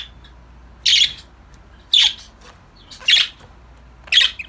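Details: Budgerigar giving loud raspy squawks, about four in a row, each short and harsh, spaced roughly one second apart with near silence between.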